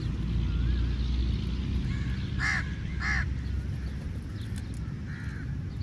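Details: Angry crow at a meat feed: two rasping caws in quick succession mid-clip, softer calls before and after, over a constant deep wind roar.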